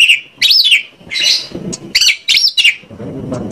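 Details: Lure song of an Oriental magpie-robin from Indonesia, meant to start other birds singing: loud rising-and-falling arched whistles and a buzzy note, delivered in quick separate phrases.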